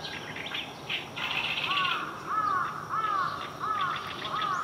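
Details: An Oriental reed warbler recorded the morning of 9 June 2023, around 09:28–09:37, sings loud, harsh, croaking phrases: grating bursts, then arched chack notes repeated about every half second over a steady background hiss.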